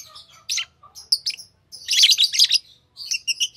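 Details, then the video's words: Green Fischer's lovebird pair singing and chirping: rapid high, thin chirps and squeaky twitters in bursts, with a dense chattering run around the middle and a shorter twittering burst at the end. "Lovebird Singing & Chirping Sounds - Green Fischer Pair"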